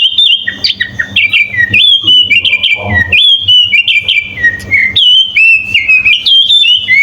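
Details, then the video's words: Sooty-headed bulbul giving a full-fill song meant as a master recording for training other birds: a lively, nearly unbroken stream of clear whistles that dip and rise, with a brief rustle midway and a steady low hum. "Suara kutilang full isian"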